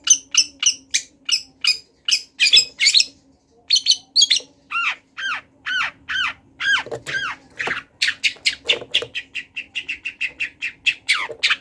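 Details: Long-tailed shrike, a wild bird singing actively, with a song full of imitated phrases: varied loud rapid notes, including ringing repeated chips, arched slurred notes and rising whistles, changing phrases every few seconds, with a faint steady low hum behind.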